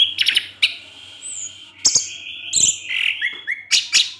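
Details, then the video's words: Evening teler-style song of an orange-headed thrush provoking other thrushes: a rapid run of clear whistles and stepped descending notes, punctuated by crisp high clicks and a thin high squeak. "Anis Merah Teler DiSORE HARI, Kicauannya menggoda ANIS MERAH yg lain. sehingga ANIS MERAH terpancing"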